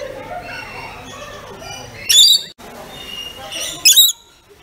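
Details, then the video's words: Pet rainbow lorikeets give two loud, grating screeches about two seconds apart, with softer squeaky chatter between them. "Rainbow Lorikeet Making Calls"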